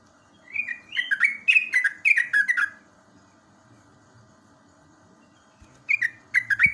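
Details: Morning song of a yellow-vented bulbul, a natural recording used to stimulate singing in young caged birds: a rapid run of about eight bubbly, descending whistled notes, a pause, then a shorter burst.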